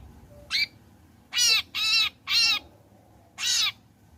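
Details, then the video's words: Long-tailed shrike after its moult (trotol), used as a lure to make other shrikes sing: five harsh, raspy, buzzy notes, the middle three close together, over a low background hum. "Burung Cendet Gacor Selepas trotol PANCINGAN CENDET AGAR BUNYI"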